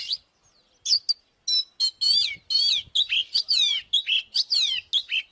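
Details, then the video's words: Oriental magpie-robin song meant to incite fighting: after a short pause, a continuous stream of loud sweeping whistles and twisting notes, rising and falling quickly, with a few sharp chips mixed in. "Chòe than mồi Kích BỔI ĐẤU || Choè than HÓT - ĐẤU"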